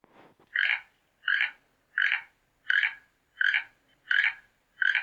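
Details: Toucan giving a regular run of seven rough, frog-like croaks spaced roughly 0.7 seconds apart, each note short and raspy, with a faint rustle at the start.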